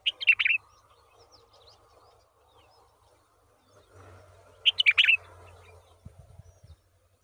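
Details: Yellow-vented bulbul (Pycnonotus goiavier) feeding a very large worm to its young gives two quick bursts of three or four bright, chattery chirps, about four seconds apart, over a faint low hum.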